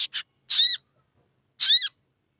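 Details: Sogon provoking a rival: two quick high clicks followed by two separate, slightly buzzy, down-curving harmonic calls about a second apart.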